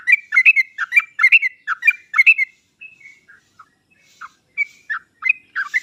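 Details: Master recording of sooty-headed bulbul song meant to draw out birds slow to sing: lively chattering phrases of rich, slurred whistles, followed by sparser single notes and short fragments.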